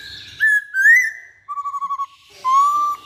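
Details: Poksay Hongkong, or masked laughingthrush, giving rising whistled notes, then a lower pulsed phrase of about six quick beats and a final slurred whistle.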